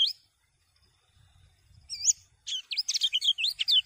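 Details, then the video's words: Common iora (kecial kuning) song meant to stimulate other birds to sing: an opening chirp, a quiet gap with low rumble, a looping whistled note, then a quick sequence of high twisting whistles and chips. "Kecial Kuning Ini Merangsang Buyi Burung Lain Agar Ikut Gacor"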